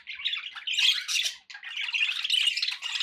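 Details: Pet budgerigar chatter: raspy squawks and twittering notes in two dense bursts split by a brief pause.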